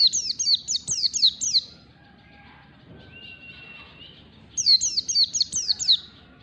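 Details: White-eye practising ngalas song, a kept bird learning fast: quick trains of bright, high, downslurred chirps, about six per burst, a pause with soft thin whistles, then another burst, with faint low rumble beneath.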